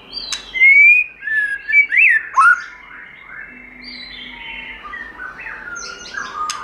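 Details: White-rumped shama giving its giọng rừng forest song: a long rising whistle, sliding notes and a sharp zigzag phrase, then quieter drawn-out tones and a short high flourish at the end.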